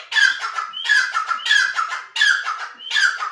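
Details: Grey francolin (teetar) calling in a steady series of five loud, raspy notes. Each opens with a thin rising whistle and breaks into a harsh, rattling phrase, repeated roughly every 0.65 seconds.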